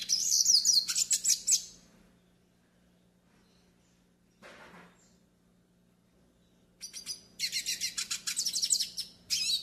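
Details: Song of the pintassilgo do nordeste, the yellow-faced siskin, played to teach and stimulate birds: an opening burst of fast, high chattering twitters, a long quiet gap, then a second run of rhythmic, rapidly repeated bright notes.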